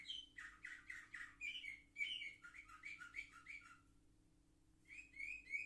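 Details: Young canaries aged seven months, filmed 10 November 2023, sing a string of quick rising and falling buzzy notes, fall silent for about a second, then return with clear whistled syllables.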